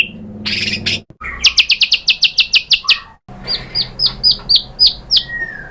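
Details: Female white-rumped shama calling the male: bursts of sharp, loud, chipping notes repeated quickly, several per second, followed by clear down-slurred whistles and a brief soft whistle at the end.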